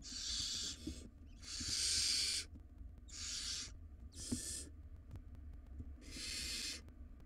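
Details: Wild barn owl nestlings struggling over a very large rodent inside a nest box. Five loud, rasping, breathy screeches of varying length come in quick succession, the longest near the middle.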